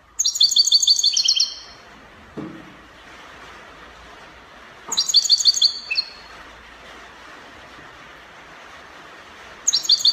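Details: Copia-style song of a European goldfinch recorded in Morocco: repeated short outbursts of quick, high, metallic twitters at irregular intervals, with a soft knock between phrases over a constant hiss.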